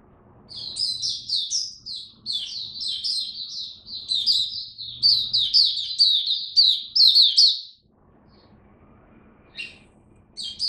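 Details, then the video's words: Oriental white-eye singing in October 2022 cold rainy weather, on an adjusted diet: about seven seconds of fast, repeated high chirps and warbled notes, then near silence with a couple of isolated squeaks. "Mata Puteh Buka Sing Raja"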